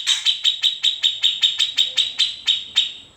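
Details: Grey-cheeked bulbul giving an unedited tutor song used to train white-rumped shamas and leafbirds, in its typical besetan, ngepik and ngetril style: a steady run of sharp, high, clipped notes, about thirteen in three seconds, fading slightly toward the end.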